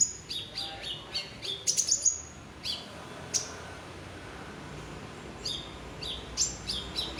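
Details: Olive-backed sunbird in a cage gives a series of high sharp double chips, a brief sparkling flourish, then scattered thin chips after a pause.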